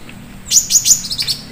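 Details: A caged leafbird used as a song tutor for magpie-robins sings a quick run of high, bright chirps and trills, several sharp notes within a second, mimicking canary-like phrases, with a faint background hum.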